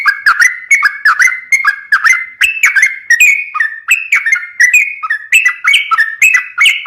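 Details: Sooty-headed bulbul in lively, continuous song: chattering whistled notes bouncing up and down in short slurred phrases, dense and rhythmic, a bird encouraged to call often.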